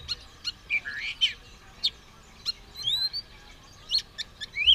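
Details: White-rumped shama, caged and ready to fight with tail spread, giving short whistled notes and sharp chips separated by brief gaps, with a rising slurred whistle near the end.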